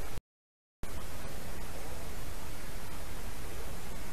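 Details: Loud hissing, wind-like noise fills the recording after a brief dropout near the start, with no animal voice.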